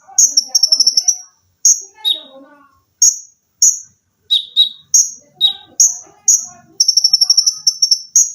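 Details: Olive-backed sunbird singing dense 'tembakan' phrases for cage-bird training: a fast stuttering trill opens, followed by spaced shrill chirps, lower paired notes, softer twittering underneath, and another rapid trill near the end.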